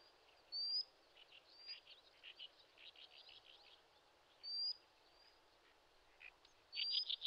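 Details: On a Shin'etsu riverbed in Japan in late May, a Common sandpiper parent guarding lively chicks gives thin, high whistles now and then, with softer chirps between and a sharper burst of piping notes at the end.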